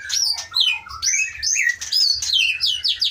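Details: A captive white-rumped shama of Aceh origin, caught in 2012 in Pining forest, Leuser mountains, singing fast, bright phrases of curved high whistles, roughly two per second, with brief harsher notes between.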